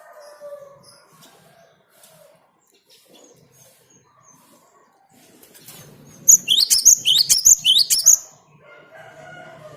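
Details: Cinereous tit, lure song: faint low tones and soft noises at first, then a loud, brisk sequence of repeated upswept whistled notes lasting about two seconds before quieting again.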